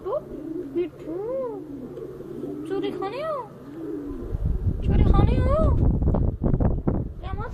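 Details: A talking ringneck parrot kept at a Lahore dairy farm in Pakistan utters repeated arched, speech-like syllables; after about four seconds heavy rumbling handling noise swamps the background while the bird keeps chattering.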